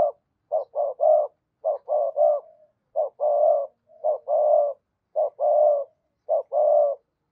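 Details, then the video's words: Spotted dove giving steady cooing for stirring a decoy bird: low groups of two or three coos, the last one longer and fuller, repeated about once a second in an even rhythm. "Tiếng cu gay kich boi nhanh noi, tiếng chim cu gay kich boi nhanh noi gù"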